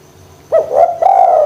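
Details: Spotted dove cooing, played to stimulate lazy doves to call: a sharp opening note, then two mellow, drawn-out coos, the last held steady and long.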